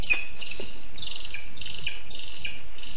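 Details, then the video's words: Lesser spotted eagle chick begging for food at its nest in a spruce, Zemgale, Latvia, 19 August 2024: thin, high peeping calls about every half second over a steady buzzy insect-like hiss and low rumble. "ПТАШЕНЯТКО ХОЧЕ ЇСТИ. ПІДОРЛИК МАЛИЙ"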